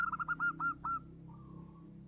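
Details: A loud-voiced local zebra dove (perkutut), a kept hobby bird in Indonesia, gives a quick stutter of about six soft, mellow coos, then a longer, fainter trailing note, over a low background hum.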